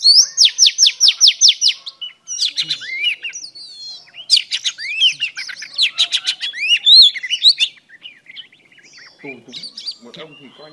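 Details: Female Oriental Magpie Robin singing to stimulate a male: a fast run of repeated rising notes for two seconds, then varied whistled, chattering and slurred phrases with upsweeps, fading near the end with faint lower sounds.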